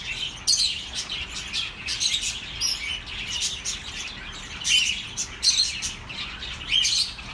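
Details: Budgerigars chirping as relaxing sound for lonely pet birds: busy high, buzzy chatter with scattered sharp chirps and short whistled notes from several birds, rising in bursts around every two seconds, over a low steady hiss.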